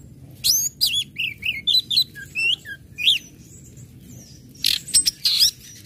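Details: Orange-headed thrush singing ngecip, ngecit and ngeplong phrases meant to arouse other birds to sing: clear, looping whistled notes rising and falling, delivered in short separate bursts, then a cluster of sharp high chips.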